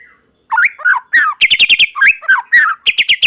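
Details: Lively white-rumped shama song used to set other shamas singing. Rich rising and falling whistles alternate with quick bursts of sharp, high repeated notes, delivered in a fast, varied stream.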